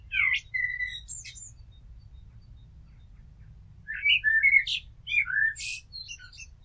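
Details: Common blackbird singing near a house: clear whistled and warbled phrases with high twittering ends, one phrase at the start, a pause of nearly three seconds, then a richer burst of fluty notes, over a low steady hum.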